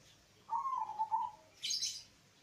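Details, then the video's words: Local zebra dove, a bird with a deep bass-toned voice, played as a lure to prompt reluctant doves to sing: a single soft, slightly wavering coo lasting about a second and gently falling, then a brief high hissy chirp. "pancingan Suara perkutut lokal"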